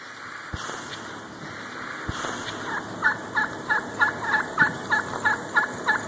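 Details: Wild turkey calling on February 6, 2011 at 6:11 PM: after a quiet start with two low thumps, about ten short, even yelping notes repeat roughly three times a second over steady background hiss.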